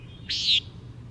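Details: A Common Nighthawk gives its jer call, one of its two primary calls: a single harsh, buzzy, nasal note lasting about a third of a second over a faint low hum. Finding: Common Nighthawk.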